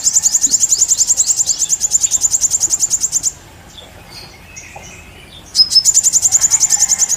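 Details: Sooty-headed bulbul singing vigorously in a full 'isian' style: fast runs of sharp, high repeated notes, about three or four a second, broken by a short quiet gap before the rapid series resumes.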